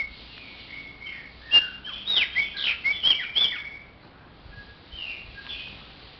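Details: Chopi blackbird delivering a two-second burst of bright, rising and falling whistled notes. A few softer, scattered whistles follow in a quiet setting.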